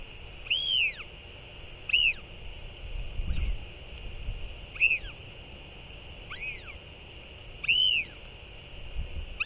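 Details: Northern royal albatrosses, a pair skycalling back and forth after a chick feeding on the day the chicks were weighed. Five clear, arched, whistled notes spaced irregularly, with low rumbling background noise and a constant high-pitched hum.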